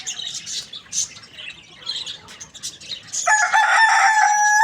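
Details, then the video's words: Loud morning crow from a rooster that begins partway through and runs to the cut-off, strong and harmonic. Before it comes a dense wash of high twittering from small birds. "Rooster morning crowing sounds"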